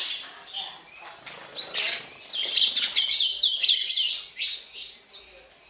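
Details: Sparrows visiting a house produce quick repeated high chirps, building into a steady, rapid twitter of about two notes per second, then tapering to isolated calls.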